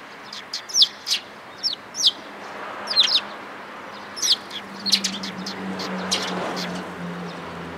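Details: Sparrows arriving to get fed on 11 April 2022 along the way out: clusters of quick, high, slightly descending chirps in the first half, sparser later, with a low steady hum in the background.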